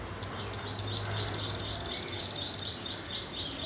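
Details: Young velvet-fronted nuthatch, a hand-fed chick still learning to sing and perch, gives a few high chips and then a fast, thin, even trill lasting about two seconds, followed by two more sharp chips.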